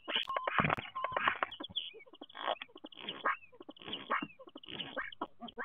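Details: Common starling, nest box at Théding, France, 10 March 2023: noisy wheezing chatter bursts alternate with short whistles and downward-curving slurred notes.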